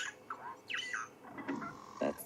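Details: A starling sings at sunset in Sabi Sand in April amid much birdsong: a quick run of squawky, gurgling whistles sliding up and down, with harsher chatter at the end and faint background murmur.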